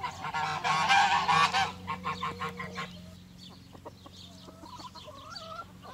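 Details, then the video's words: Geese kept with chickens on a farm in spring give loud, harsh nasal honks in a burst over the first two seconds, then fade into quieter clucks and softer farmyard calls. "Goose Sounds"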